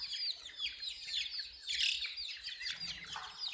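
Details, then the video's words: Chicks of a chicken, colored chicks, chirping: overlapping high, thin peeping notes, many at once, with some rustling and light knocks in the background. "Witty MURGI Hen Baby "CHICKS CHIRPING" Sound"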